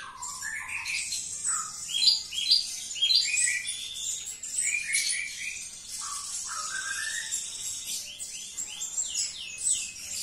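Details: Javan bush lark singing indoors, a fast varied stream of rising whistled slurs, chirps and high buzzy trills, with lower upward-sweeping notes recurring throughout.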